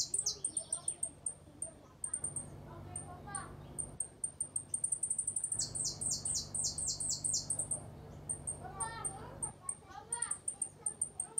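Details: A hooded siskin (Uruguayan) sings a "repique golpe pito" song: fast, high twittering of sharp whistled notes and buzzy rapid trills, about four notes a second, over a low steady hum.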